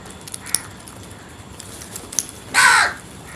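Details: A single harsh, hoarse crow caw lasting about half a second near the end, broad and raspy, after quiet background with a few faint clicks.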